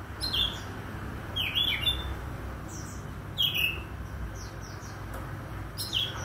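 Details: Oriental magpie-robin morning song: crisp whistled notes sliding downward, delivered in short groups with brief pauses and scattered faint high chirps, against a low background hum.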